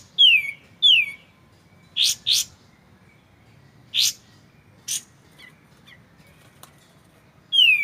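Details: White-shouldered triller in a clear tutor recording with pauses for magpie-robins: two falling whistles, paired buzzy rising notes, single buzzy calls and faint chips spread out, ending with another downslurred whistle.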